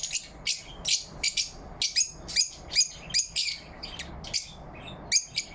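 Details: Morning chirping of happy lovebirds, recorded 4 November 2023: shrill high chirps and squeaks in an irregular series, about two or three per second, fading briefly before a final pair of loud notes.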